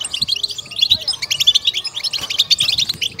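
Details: Goldfinch singing in the batbata style, meant to stimulate and excite: sharp, high chirps and twittering trills delivered rapidly and continuously, bright and layered, with almost nothing in the low range.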